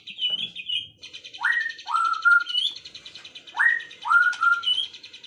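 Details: Birdsong on an afternoon: pairs of loud downslurred whistles sweeping from high to lower pitch, repeated about every two seconds, over a steady high insect-like buzz and brief higher chirps.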